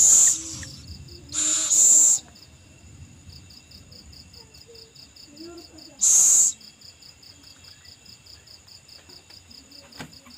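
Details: Owl feeding its young, giving several loud breathy hissing screeches, one at the start, a pair soon after and another mid-way, over an even run of cricket pulses.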